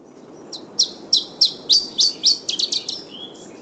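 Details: Classic song of the Iberian Chiffchaff: a quick run of high, sharp notes that changes partway into faster twittering phrases and ends in a thin descending note. The phrase is built of three different note sets and is followed by a pause of several seconds.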